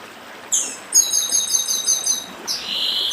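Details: A chestnut-bellied seed finch sings in the dedim style with a stream behind: an initial sharp rising note, a dense trill of high paired buzzy notes lasting about one and a half seconds, then a drawn-out hissing phrase.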